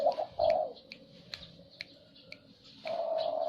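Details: Zebra dove song in short bursts of low, purring trilled cooing, separated by quiet gaps with sharp clicks and faint high chirps. The clip ends with a longer sustained trill.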